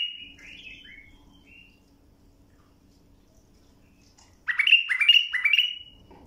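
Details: Bulbul song for teaching young birds: soft slurred whistles at the start, a long pause with a low hum, then a loud phrase of three repeated downward-sweeping whistled notes.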